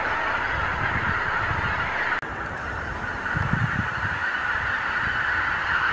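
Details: Morning gathering of thousands of wild geese on Lower Rhine pastures, recorded on a camcorder; unbroken mass honking with a brief click just past two seconds and low wind rumble.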